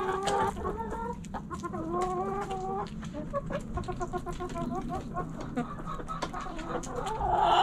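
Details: Hens in a backyard flock cluck in quick, stuttering series, several birds overlapping, with a louder rising call at the very end over a low background hum.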